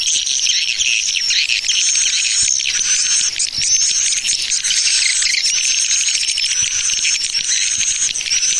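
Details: Swiftlets calling in a lure recording named 'Tarik Permata': a steady, dense wash of high twitters and thin rising whistles that continues without a break.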